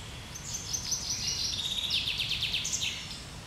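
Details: Common chaffinch singing in the treetops on 1 July 2020: bright high chirping notes give way to a fast run of repeated notes stepping downward, ending in a short high flourish, over a faint low rumble of background noise.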